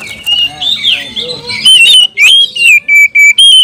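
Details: Agitated oriental magpie-robin whose song is meant to make other kacer more worked up and vocal. A wavering warble builds into a sequence of loud, sharp, even whistles, about four a second near the end.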